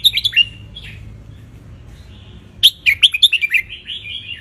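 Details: Sunning wild red-whiskered bulbul from Ratchaburi, Thailand, singing to teach young birds and invite them to answer: a brief chirpy phrase first, then a long rapid run of about eight lively, whistled notes.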